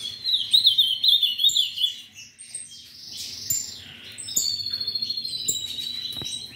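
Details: Captive-bred ultramarine grosbeak (Cyanoloxia brissonii) singing a quick, sweet warble of high chirping notes, then a faster run of rapid trilled notes, over a faint low hum.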